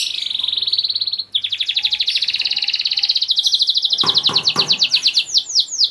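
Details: Song of a caged purebred Spanish Giboso canary: a long steady buzzy roll, then a continuous fast trill that gradually slows into separate sweeping notes. A few clicks can be heard near the end.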